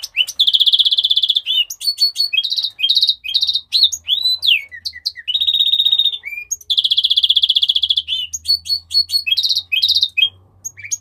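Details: Sustained singing from a Mexican rosefinch. Long rattling trills alternate with sweeping whistles and choppy chirp sequences, and a faint low hum sits underneath.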